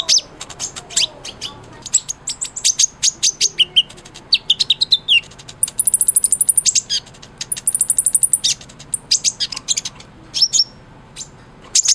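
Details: Kolibri ninja sunbird used as white-rumped shama tutor song: long streams of rapid, thin, very high chips, a sustained high trill in the middle, and bursts of twittering throughout.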